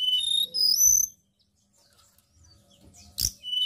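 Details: White-browed shortwing singing energetically on an Indonesian lure recording for training songbirds: a fast jumble of high, thin whistled notes sliding up and down for about a second, a pause, one sharp click-like burst, then more high whistles.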